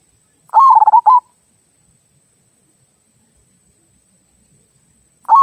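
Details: Zebra dove of local stock giving its "kung" song, a style used to coax other birds into singing: one rapid burbling coo phrase of clipped pulses, then silence, with the next phrase just starting at the end.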